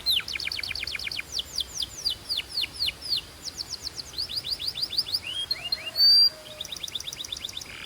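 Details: Singing Belgian canary delivering bursts of down-swept whistled notes at shifting speeds, with a brief sharp click partway through and another quick run of notes at the end.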